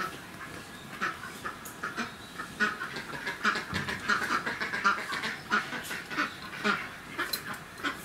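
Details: Male sulphur-crested cockatoo at Rakujuen park in Mishima, Shizuoka, Japan, recorded 24 November 2018: a run of short, harsh, raspy calls repeated about every half second to second, rising and falling in loudness, over faint background noise.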